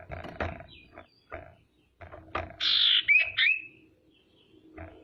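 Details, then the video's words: Female common iora used as a lure to provoke rivals into calling: a loud harsh buzzy rasp followed by two short, bright upslurred whistles. Repeated low knocks and thumping handling noises run through the background. "SIRTU BETINA GACOR PANCINGAN PALING AMPUH BIKIN CEPAT BUNYI DAN EMOSI SIRTU LAIN"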